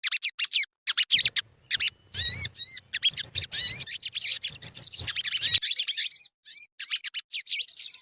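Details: Sogon lure song to get birds singing: quick series of high, clipped chirps and twisting whistles, running into a longer dense warble, then scattered chirps again, with faint low thumps.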